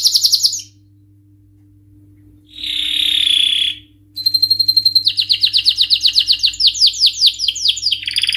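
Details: Canary singing in bursts: a brief high trill, a pause, a buzzy sustained phrase, then a flat piping note leading into fast rolling tours of repeated falling whistles, with a quiet hum underneath.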